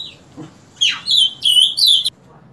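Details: Short phrase from an Ultramarine grosbeak singing each morning from 7 o'clock: a sweeping rising note followed by three clear, slightly buzzy whistled notes, then silence.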